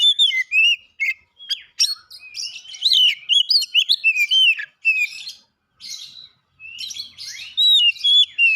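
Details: Oriental magpie-robin that won first place in a singing competition, pouring out a long, varied stream of loud whistles, chirps and slurred notes in fast bursts with brief gaps, in a quiet setting.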